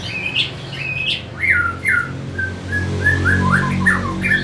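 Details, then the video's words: Orange-headed thrush from Singaraja, Bali, singing a stimulus song for rousing other birds: softer series of clear slurred whistles, several rising and falling notes in sequence, set against a noticeable low hum. "Pasti NYaut dan Teler Pancingan SUara ANIS MERAH Pembangkit Figther Burung"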